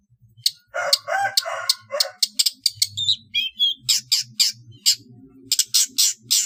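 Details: Competition-bird training song of the long-tailed shrike, trotol style: harsh raspy buzzes and broad noisy notes, then twisting high whistled phrases and loud scratchy bursts, with faint low humming underneath.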